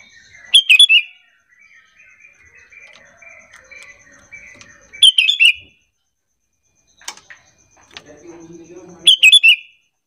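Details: Bulbul lure: a sooty-headed bulbul call used to prompt others to reply. Three matching bursts of rapid chirped notes roughly four seconds apart, with softer twittering and a brief low rumble between them.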